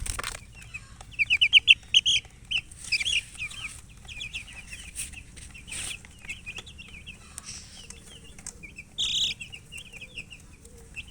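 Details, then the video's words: Baby chickens peeping: bright, rapid descending chirps tumble out in a loud flurry early on, then continue as softer, overlapping peeps from several chicks, with faint scuffling underneath. "Baby "Chicks Chirping" Sound"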